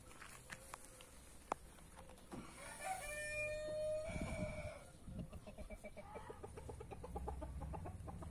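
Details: Free-range roosters in a back yard, breeds including brahma, marans, naked neck and white star; a mid-length crow rises and holds steady, surrounded by clucking and scratchy yard noise.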